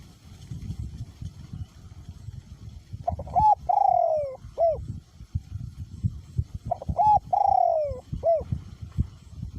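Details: Caged decoy spotted dove, voice small to medium in pitch, cooing in strong wind: two phrases, each a short note, a long slurred falling coo, and a closing note, about three seconds apart over low wind rumble.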